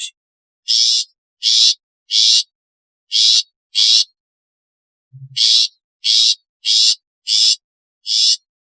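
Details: Rasping, broadband calls of a long-tailed shrike, repeated roughly every half second in two runs broken by a pause of about a second.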